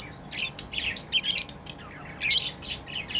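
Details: Playing pet lovebirds uttering harsh, scratchy squawks and shrill chirps almost continuously, two louder bursts standing out, with steady low background noise.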